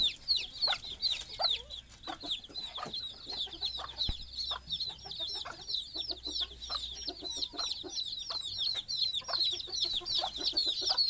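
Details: Hen and her little chicks bedding down for the night, the hen asleep on a stick on the nest: continuous shrill peeping from a crowd of chicks, fast down-slurred notes, with soft clicks and one sharp knock.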